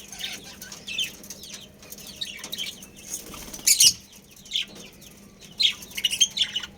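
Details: Chirping from a budgerigar breeding pair: soft, rapid high twitters building to a few louder sharp bursts near the middle and end, with a steady low hum.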